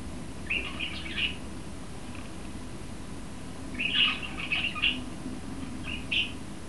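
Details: Male budgerigar in an aviary greeting his friend and calling through the grill to the hens. Two bursts of short, chirpy, warbling notes, the first near the start and the second midway, followed by a single chirp near the end, in a quiet room.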